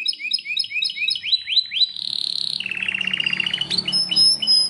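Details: Belgian canary song opening with a quick series of rising whistled chirps, then a fast buzzy rattle, a rapid bubbling trill of evenly spaced notes, and more rising slurs; a faint low hum underneath.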